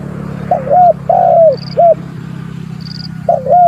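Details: Spotted dove challenging a rival: a three-part phrase of low, mellow coos, the middle note drawn out and falling, then a new phrase begins. A faint high tone repeats twice over a constant low background hum.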